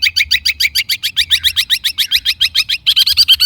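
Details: Long-tailed shrike song played to make other shrikes answer, a fast steady series of buzzy two-part chirps repeated about six per second, growing brighter at the end.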